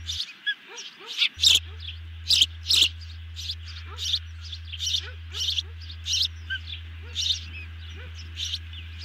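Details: Two birds fed a big dinner at a camera-watched osprey nest, evening of 18 June 2020; irregular sharp high chirps and whistles, some loud, some softer, with faint lower notes and a low hum.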